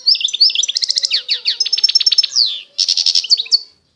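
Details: European goldfinch singing in the authentic Constantine style of eastern Algeria: a rapid, dense stream of high twittering notes, buzzy trills and short rising slurs, almost continuous, with one brief pause before a final bright burst.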